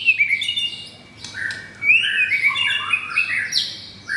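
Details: Caged white-rumped shama, pastel blorok form, pitted against an adult brown blorok rival; brief bursts of high bright whistles and slurred warbles with a short pause between.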